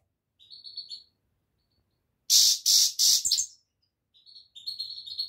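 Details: Goldfinch giving soft high thin notes, then four loud harsh rasping bursts, followed by more quiet high tinkling notes.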